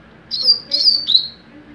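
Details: Mateiro song of a young double-collared seedeater: three clear high whistled notes, each sliding slightly down, the last one longer and fading.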